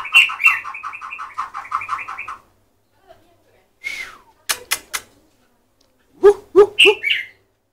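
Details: White-rumped shama singing a varied phrase: a fast run of about a dozen repeated buzzy notes, then a pause, a rising slurred note, sharp high clicks, and a closing group of rich whistled notes.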